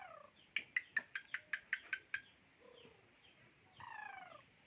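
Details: A bird described as a very keen, non-stop singer gives a quick run of eight sharp, evenly spaced chips, then soft descending whistled slurs; steady hiss in the background.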